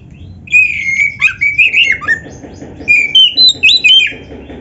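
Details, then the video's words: Oriental magpie-robin, known as kacer, in lively 'gacor' song with many 'isian' fill phrases, recorded as training material for other birds: a rambling slurred warble, then bursts of crisp, evenly spaced whistled notes at varying pitches. "MASTERAN KACER GACOR FULL ISIAN !! - Suara Burung Kacer yang cocok untuk Latihan"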